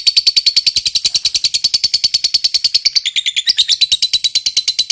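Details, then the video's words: Lovebird of fighter type singing ngekek: continuous fast, harsh chattering notes, about three a second, dense and buzzy throughout, with a brief change in tone near the middle. "Masteran SANGAT JITU BIKIN LOVEBIRD CEPAT BUNYI, Lb Fighter Ngetik Ngekek Panjang"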